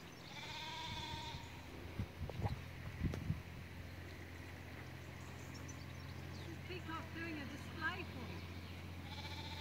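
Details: A peacock at Hartland Abbey, UK, calls with long nasal wails near the start and again at the end. Brief human speech and handling bumps come between the calls, over a steady low engine-like hum.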